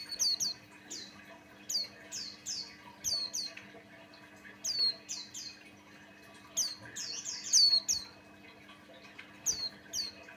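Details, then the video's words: Lure song of a Buxtoni white-eye for prompting other white-eyes to sing: clusters of two to four sharp, high descending whistled notes, repeated across the stretch with short gaps, and a low electrical hum beneath. "Suara Burung pleci Buxtoni pancingan Ampuh"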